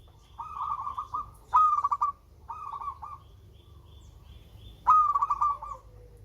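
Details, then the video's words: Melodious song of a local zebra dove: softer rolling coo phrases alternate with louder ones that start on a sharp upward whistle and break into rapid staccato coos. Steady low hum underneath. "Perkutut LOKAL SUARA MERDU"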